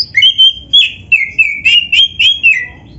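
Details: Oriental magpie-robin (kacer) singing vigorously, a recording meant for training other birds: a fast series of about ten clear, high whistled notes, some sliding downward, delivered almost evenly, with faint low hum beneath.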